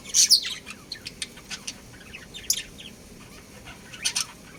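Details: Chirping from a breeding pair of budgerigars: a loud, shrill opening squeak, then rapid, thin, twittering notes repeated at a fast pace, ending with another bright burst.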